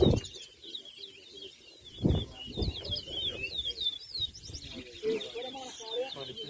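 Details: Large-billed seed-finch (towa towa) in a singing competition, Anna Regina, Essequibo, Guyana, 2023: fast, clear whistled and slurred notes pour out continuously, with a few loud thumps and people talking in the background.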